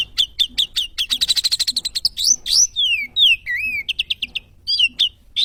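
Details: Sooty-headed bulbul (sogon) training song: quick repeated chirps accelerating into a dense trill, followed by long swooping downslurred and upslurred whistles and short chirp clusters.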